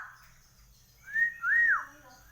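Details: Black-naped oriole, the golden-yellow kepodang, singing energetically: two clear, fluty whistles, the first short and slightly rising, the second longer, arching up then sliding down, delivered over faint background murmur.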